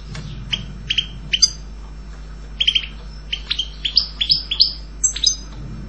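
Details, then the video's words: European goldfinch uttering spaced, bright chip and twit notes, some doubled, becoming quicker and more run together toward the end into a short twittering phrase. "Canto jilguero Goldfinch song"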